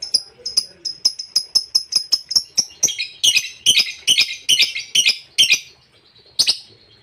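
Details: Lovebird ngekek, a long chatter used to provoke rival birds: about a dozen sharp high chirps, one every half second, build into a dense, harsh, buzzy chattering run, then pause before one final chirp.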